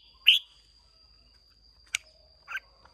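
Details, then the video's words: Caged red-whiskered bulbul, wild Hoà Bình stock from Vietnam, in a singing contest: one loud bright slurred note, a sharp click, then a softer chirp, over a faint steady high hum. "Chào Mào Hót Đấu Rất Đẹp Rất Hay"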